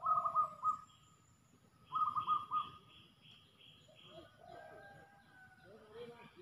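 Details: Male spotted doves fighting fiercely on the ground at a decoy: two short bursts of rolling, throaty coos, each about half a second long, with thin, higher chirps from other birds and scattered rustling and calls afterwards.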